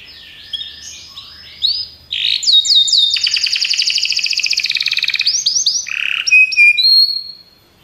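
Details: Belgian canary song starting with soft varied chirps, then a loud, fast rolling trill of high notes lasting about three seconds, closing with short whistled phrases.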